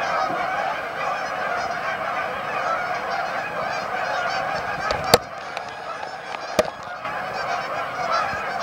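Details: Many Canada geese massed at a staging area, Amber Trails Lake, Winnipeg, honking together in a thick, unbroken chorus, with two sharp clicks or knocks near the end.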